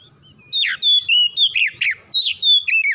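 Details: Song of a house-kept oriental magpie-robin, played as a quick lure to set other birds singing: after a soft whistle, a dense string of loud, clear slurred whistles and buzzy chirps rises and falls about twice a second.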